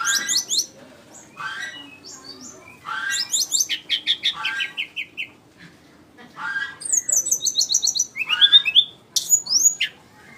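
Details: Flycatcher delivering bursts of rapid chattering trills and buzzy rattles separated by short silences, ending with a series of very high, thin whistled notes.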